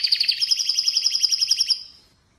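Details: Brief rolling trill from an Atlantic canary: about fifteen quick, evenly spaced high pulses that fade out over the last half second.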